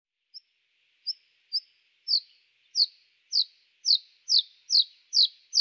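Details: Bluethroat (Luscinia svecica), recorded in Moscow and Ryazan region, Russia, repeats a sharp, high, downslurred note that quickens and grows louder, about twice a second; clip covers male song and female alarm.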